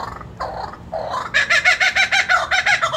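A laughing kookaburra gives a few harsh, rasping notes, then breaks into a rapid run of loud, even cackles, about eight a second.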